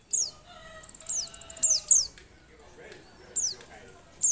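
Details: Female Oriental white-eye in breeding condition, calling to prompt reluctant males into song: sharp high downslurred chips, a brief rapid trill near one second, then scattered single notes with quiet gaps.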